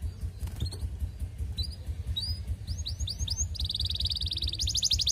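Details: Canary singing to court a female, used as a lure to make other canaries sing; after a second of low hum, rising sweeping notes appear, then a fast, steady high trill rolls on to the end over constant low rumble.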